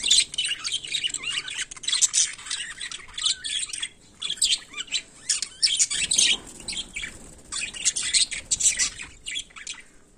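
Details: Budgerigars (Melopsittacus undulatus) in daily life, giving dense, rapid chirping and scratchy warbled chatter in quick bursts. Short pauses fall near four and seven seconds.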